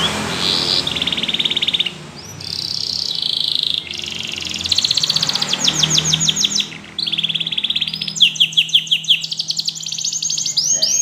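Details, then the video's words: Yellow canary song with long sustained rolling trills, each tour held steadily for a second or more, switching between buzzy rolls and rapid clicking pulses, separated by short breaks. "Yellow canary singing"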